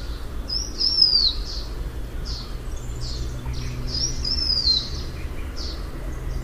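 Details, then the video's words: Two high, sweet whistled phrases from a blue-winged minla, each descending through several notes, about three seconds apart, among short chirps and low background hum. "Tiếng chim khướu lùn cánh xanh, นกศิวะปีกสีฟ้า"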